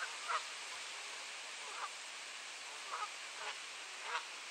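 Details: Geese fighting over territory at Sainte-Adèle, Quebec, Canada, on a clear 7°C morning, 16 April 2023, 10:07 AM: five or six short, harsh honks at irregular intervals across four and a half seconds, over a steady rushing hiss.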